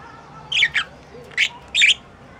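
A budgerigar gives short, harsh chirping squawks in quick bursts.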